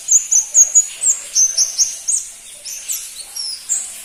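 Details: Pentis pelangi, or crimson-breasted flowerpecker, a seldom-kept songbird, giving a rapid string of piercing high notes, about eight even pulses that then blur into thinner, drawn-out slurred whistles.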